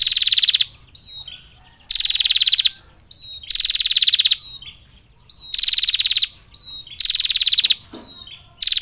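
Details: Calling female bar-winged prinia attracting males: six short, dense, high buzzy trills of rapid clicking pulses, each under a second long and repeated roughly every one and a half seconds, with faint thin whistles in the gaps.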